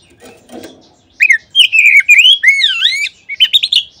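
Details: Lure song of an Oriental magpie-robin, meant to set any magpie-robin singing. A faint low rustle comes first, then a run of bright, sweeping whistles with a deep swooping dip and rapid chirped notes at the close.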